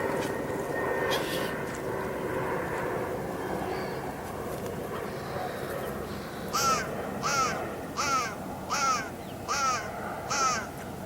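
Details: A crow on the River Thames in West London at low tide on an autumn evening gives six harsh, hoarse caws about 0.8 seconds apart, a greeting and alert to other birds about a person arriving, over rushing water and distant noise.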